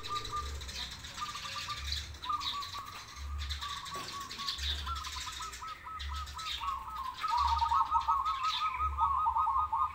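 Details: Zebra doves, a crossbred bird against a local one, singing lively: rapid runs of soft, fluttering cooing notes at a steady mid pitch, growing louder and faster near the end, over low rhythmic thumping.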